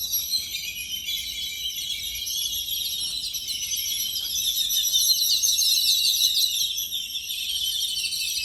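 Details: A flock of Yellow-billed babblers at about 9 AM on January 7, 2021 keeps up a dense, continuous chatter of harsh, squeaky high notes, many birds overlapping with no pauses.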